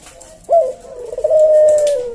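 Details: Javanese collared dove (puter jawa) cooing in the slow 'senggang' style used as a tutor and lure for cage birds: one long, smooth, steady coo that starts abruptly and sags gently at its end.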